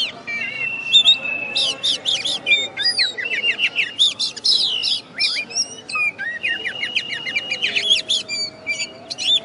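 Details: Caged oriental magpie-robin, first-place contest winner from West Kalimantan, heard after the contest, singing a rich, varied song: a long steady whistle, then rapid bursts of sharp chirps, slurred rising and falling whistles and trills with barely a pause.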